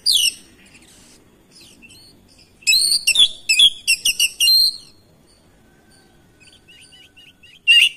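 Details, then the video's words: Oriental magpie-robin responding to a rival singer, pouring out its varied repertoire: loud high whistles, clustered chattering bursts and sharp ringing phrases, with a stretch of soft repeated chips before another loud phrase at the end. "HITUNGAN DETIK KACER LAIN LANGSUNG RESPON IKUT GACOR NGOTOT BONGKAR ISIAN"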